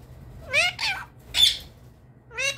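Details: Indian ringneck parrot, a pet, saying "mitu mitu": three short harsh, buzzy squawked syllables with rising and falling harmonic contours, the first two close together, the third after a gap, over a faint low hum.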